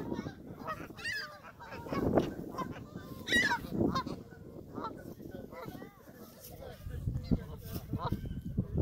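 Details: Canada geese at Hawreluk Park Lake give harsh, nasal honks, several birds calling irregularly and overlapping, over a low background rumble with faint voices.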